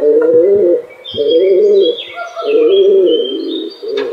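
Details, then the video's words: A flock of pigeons cooing: overlapping low, throaty rolling coos from several birds at once, with faint higher chirps from other small birds above. "Flock Of Pigeon Cooing Sound"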